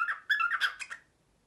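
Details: Pet cockatiel's printer impression, very early morning: a short run of warbling harmonic chirps ending in a few brighter, higher notes, then quiet.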